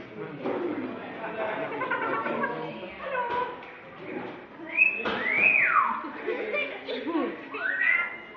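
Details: Captive parrot at a farm park in Pembrokeshire imitating noises: clear whistled slurs, one sharply rising then falling like a wolf whistle, another rising, over a background of people talking and murmuring.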